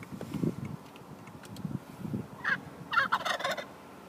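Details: Turkey gobbling: faint low rumbles early on, then several short, rattling, bubbly bursts near the end, quiet and somewhat distant.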